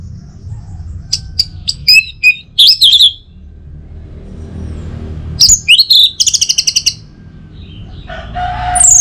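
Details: Morning song of an orange-headed thrush meant to stimulate other birds: loud high chirps and slurred whistles in two bursts, the second ending in a rapid stuttering series, with a brief rushing noise between.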